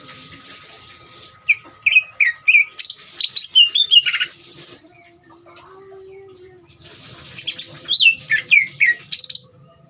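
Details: Greater green leafbird in ngeriwik style, used as a lure to make other leafbirds agitated and sing often: two bursts of quick, bright, downslurred whistled notes, mostly high-pitched, separated by a quiet gap, over a steady faint hum.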